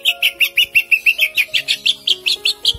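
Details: Caged greater green leafbird hung on an iron pole, singing a long, fast, even roll of bright, sharp chirps, about six a second and held without a break, with faint background tones.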